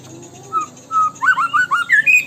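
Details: White-rumped shama in tembakan style: a few sustained whistles, then a fast string of bright, upslurred whistled notes climbing higher toward the end.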